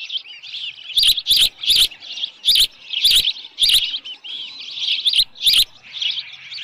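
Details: Osprey on the nest at Dunrovin Ranch, 10 June 2018, evening, headless fish present: rolling high chirps overlaid by loud piercing whistles repeated about every half second to second, in two groups.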